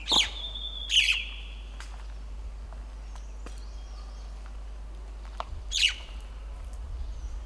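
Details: A plains-dwelling Jungle myna, first recorded this high in the middle Himalaya, lets out harsh, broadband squawks: two close together at the start and a third about five seconds later. Softer noises fill the gaps.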